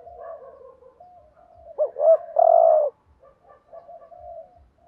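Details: Decoy spotted dove giving thúc gù cooing meant to stir rival males. Quiet murmured cooing leads into two quick rising notes and one strong drawn-out coo, then soft broken cooing resumes.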